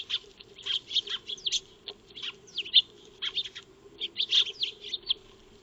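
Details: Eurasian tree sparrows, known locally as Maya birds, feeding in a backyard, recorded by a solar-powered wildlife trail camera; bursts of short, high chirps and rising-falling tweets come in quick irregular clusters over a steady low hum.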